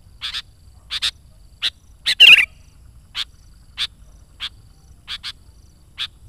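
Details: Lively sooty-headed bulbul song used as a lure for wild birds: a steady series of brief, bright chirps roughly every half second, some in quick pairs, with one scratchy chattering burst early on.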